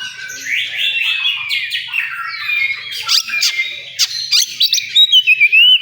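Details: Oriental magpie-robin singing in a songbird contest area, a varied stream of sweeping whistles, chirps and harsh notes, with several other birds calling at once and sharp clear whistles closing the phrase.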